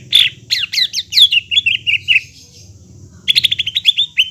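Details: Greater green leafbird song meant to trigger singing in a caged bird that has stopped: sharp downslurred notes running into warbled phrases, a short gap, then a fast rattle of chirps.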